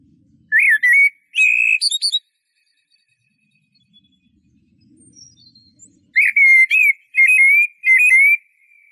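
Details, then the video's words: Eurasian blackbird singing two bursts of clear fluted whistles around a steady mid pitch, each note topped by thin high twittering, separated by a quiet pause of about four seconds. "تغريد طائر شحرور (جحمومية)Merle noir"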